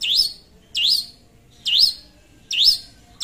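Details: Lively long-tailed shrike calling out to a rival, giving four loud, ringing notes that dip and then rise, spaced nearly a second apart with short silent gaps between them.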